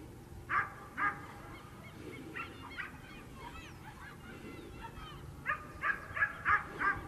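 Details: A single Black-necked swan that turned up in a neighbourhood of Mercedes, Buenos Aires, Argentina, giving soft honking notes, two, then two more, then a quick series of five, over steady background hiss.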